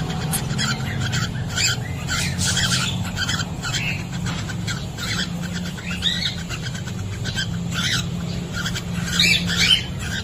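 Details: Cockatiels in a nest box during egg laying, recorded by an in-box CCTV camera; continuous busy chirping and short whistled notes throughout, over a constant low hum.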